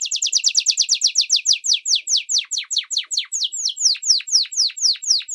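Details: Song meant to teach common and Belgian canaries, chicks and adults: a fast run of descending whistled notes that gradually slows, the notes becoming longer and more spaced, about three per second at the end.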